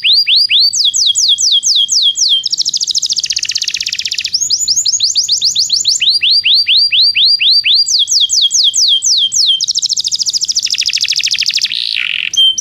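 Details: Belgian canary song used for training non-singing canaries: continuous high, rapid rolling trills of repeated rising whistled notes, alternating with buzzy rattling passages and a lower harsh note near the end; no other sounds.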